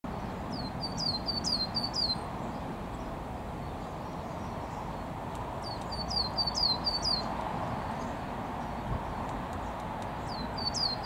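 Coal tit singing thin, high two-note phrases, repeated quickly in bursts of about two seconds, over a steady rushing background hiss.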